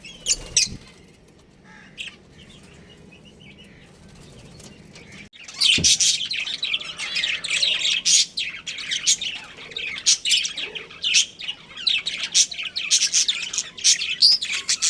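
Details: Budgerigar colony with a breeding pair, kept as pets; after about five seconds of near quiet, dense high chirps and squawks from many birds overlap continuously.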